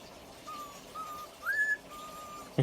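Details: A young pet cockatiel whistles the X-Files theme in clear, pure notes, holding steady tones and sliding up once.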